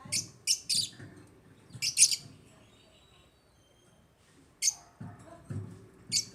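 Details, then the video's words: African lovebirds utter bright, high, piercing chirps in quick runs, then fall silent for about two seconds before more scattered chirps resume, with faint low bumps. "AFRICAN LOVEBIRDS CHIRPING SOUNDS"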